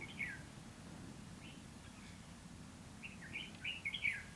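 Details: Red-whiskered bulbul singing in a fight while being trapped with a wild bird on 29 February 2016: a sharp chirped phrase opens, then a tight cluster of quick, warbled notes closes, over low background hum.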